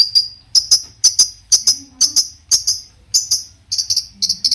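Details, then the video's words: Long-tailed shrike delivering song aimed at stirring other shrikes to reply: crisp high chirps in close pairs, repeated about twice per second, with a faint low hum in places. "cendet gacor Variasi BIANGNYA bikin cendet lain emosi ikutan bunyi langsung NYAUT"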